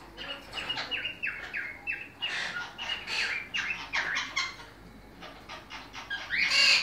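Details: Monk parakeets shown during breeding, giving a rapid series of harsh, raspy squawks, many short notes in quick succession, some rising and falling, with a louder burst near the end.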